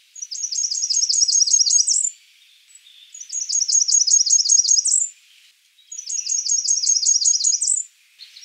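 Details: Blackburnian warbler calling: three very high, thin phrases about two seconds long, each a rapid run of sharp repeated notes ending in an upward flick, spaced roughly a second apart against a quiet background.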